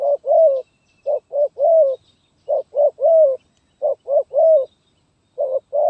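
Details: Zebra dove performing 'gagap tindan' (sepatah) song, January 2022: stuttering groups of two or three short coos, each closed by a longer falling trilled note, repeated about every second with brief gaps.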